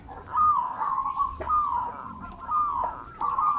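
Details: Zebra dove of local natural stock, an eager singer used as a lure: sustained warbling coos repeated in phrases of about a second, set against steady background noise and a couple of sharp clicks.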